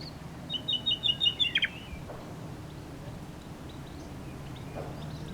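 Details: A nightingale gives a single phrase: a fast, even string of bright repeated notes lasting about a second, ending in a short downward slur. Quiet background hum follows.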